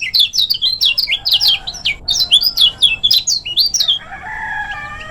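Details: Lemon-bellied white-eye from Lombok singing for training other birds, a fast stream of high, sharply rising and falling chirps for four seconds, then a brief lower tonal sound at the end.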